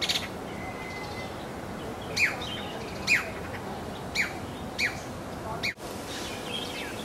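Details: Masked laughingthrush, recorded in 1999 in Kowloon Park, Hong Kong, giving short, sharp, downslurred call notes about once a second over a steady hiss of background noise.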